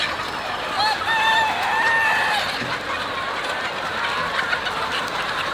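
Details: Chickens on a chicken farm: a dense flock murmur with several clear rising and level squawking notes near the start, then continuous overlapping clucks and chatter from many birds.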